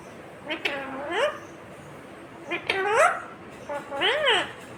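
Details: Indian ringneck parakeet talking: three drawn-out, speech-like phrases with rising then falling pitch, spaced about a second apart, against a constant background hiss.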